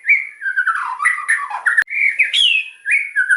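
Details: Loud white-rumped shama song of varied whistled phrases, sliding and warbling notes strung together almost without pause, broken by one sharp click.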